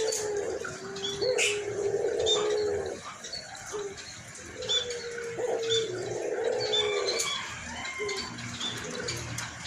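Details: White collared dove, described as singing frequently with a husky voice. It gives long, low, slightly wavering coos in two main bouts separated by a pause. Thin chirps and twitters of other birds continue in the background.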